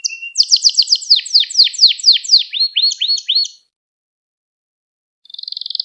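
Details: Canary song recorded as a lesson for young canaries: rapid downslurred notes about four a second, a few higher chips, silence, then the start of a fine trill.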